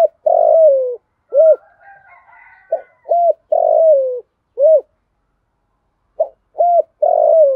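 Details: Female spotted dove used as a decoy, calling to provoke and lure wild males, in the 'giọng thổ pha' style with a single ending note: repeated cooing phrases of short hooted notes and one long falling coo, with a softer murmur between phrases.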